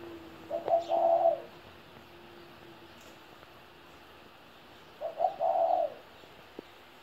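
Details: Two coo phrases from a 17-year-old spotted dove about four seconds apart, each starting with short notes and ending in a long wavering coo, over a low steady hum and a click.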